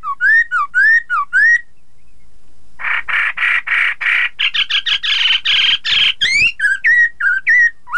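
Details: Chinese hwamei song used to make rival birds join in: rising whistled notes, a burst of harsh buzzy chatter, then varied looping whistles repeated rapidly.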